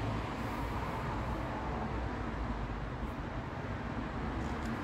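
Steady low rumble of road traffic with no animal sounds.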